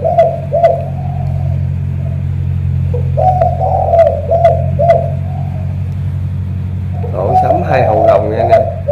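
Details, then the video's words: Spotted dove from Ca Mau with a powerful, pigeon-like voice gives deep, short coos in quick runs, pausing once. Near the end they give way to a louder, rougher burst. A steady low hum and sharp clicks sound throughout. "Thổ cọp âm khủng hình như bồ câu"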